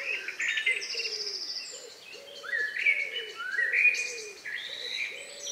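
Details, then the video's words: Birds singing just before night in rural countryside, 2 May 2020 about 9 p.m.; rising whistled phrases and high chatter over a low soft cooing note repeated steadily in the background. "relax sound of bird in the evening"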